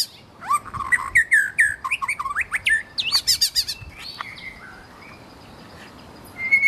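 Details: Wild white-rumped shama singing in its natural habitat: a melodious, busy run of varied whistled phrases, with rising and falling slurs and quick up-and-down notes. Sharp high chips and buzzy bursts follow, then a quieter pause before a final high whistle.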